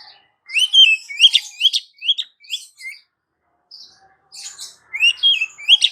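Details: Female Oriental magpie-robin calling for the male, giving a varied series of upward-sweeping whistles and harsh chips roughly every third of a second, a short pause with a soft note, then more rising whistles.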